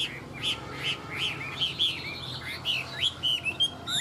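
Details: Chinese hwamei, tame and singing well: a string of short, bright whistled notes repeated at a quick pace, some slurred downward, ending in rising whistles, with faint hum in the background.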